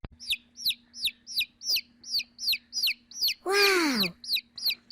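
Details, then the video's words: Chick peeping in a steady series of high, downslurred cheeps, about three per second, broken midway by one longer, louder, lower descending call. "Цыплёнок + звуки и голоса / Chick sounds and voices / Балапан дауыстар"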